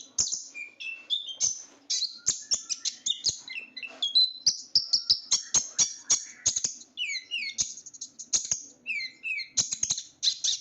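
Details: Small sunbird, known locally as kolibri ninja or konin, with blue, black and gold plumage, kept by hobbyists for its song; shrill, loud, high chirps and rapid twittering phrases, with sharp clicks and trills tumbling in quick succession.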